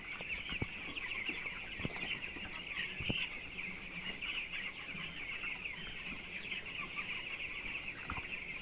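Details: Broiler chicks twelve days old on a poultry farm, a dense flock keeping up an unbroken high peeping chorus, with scattered low knocks and thumps beneath.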